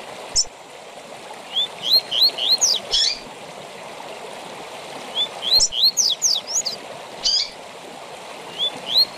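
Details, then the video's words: Double-collared seedeater giving the tui tui zel zel song style, used to train captive birds; bursts of quick high whistled upslurred notes in two phrases about five seconds apart, over a steady rushing stream. "TUI TUI ZEL ZEL DE FIBRA TOP PARA ENCARTE DE COLEIROS E PAPACAPIM"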